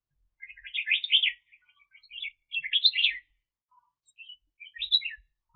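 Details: Decoy red-whiskered bulbul for bird catching, 2021 season, singing three bright warbled bursts about a second apart, each a jumble of quick rising and falling notes.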